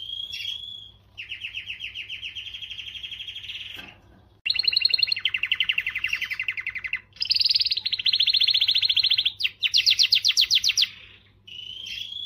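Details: Canary song aimed at stimulating females: a sequence of separate fast trills at different pitches, some buzzy and some rolling, divided by short pauses, with brief whistled notes at the start and finish.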